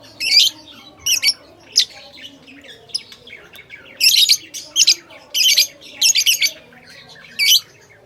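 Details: Lovebirds giving bursts of shrill, piercing chirps in irregular clusters, separated by short quiet gaps, with faint softer twitters in between.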